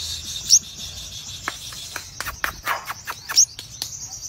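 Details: A crimson sunbird singing vigorously gives very high, thin notes, with two sharp bright chips about three seconds apart among a string of short, clicking high bursts.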